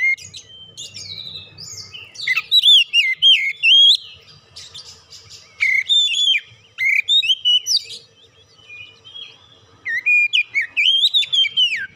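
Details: Song of an oriental magpie-robin meant to prompt other magpie-robins to sing. Varied whistled phrases come in three loud bursts of rising, falling and warbled notes separated by short pauses, over a faint low hum.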